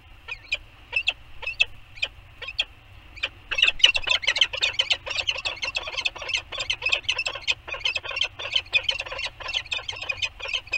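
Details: Pair of Peregrine falcons, male and female, meeting in their Anacapa canyon nest on a rock on a September 2020 morning for a bonding session with beaking. Sharp chips sound at first, then break into dense, rapid chattering.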